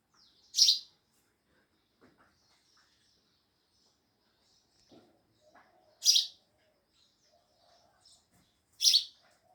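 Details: Sparrows giving loud chirps: single harsh, high chirps spaced several seconds apart, with faint soft twitters and light clicks between them.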